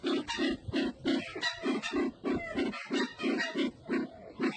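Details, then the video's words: Sumatran red-eyed bird calling in a steady train of short, deep, hoarse grunts, about three per second and very regular throughout. "Suara burung merah mata Sumatra"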